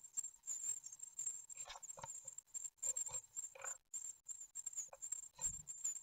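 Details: Great tit nestlings, nine days old, begging at feeding time in a webcam-monitored nest at Ostwald, 15 June 2020. Sustained shrill squeaks over repeated lower scrabbling and fluttering thumps.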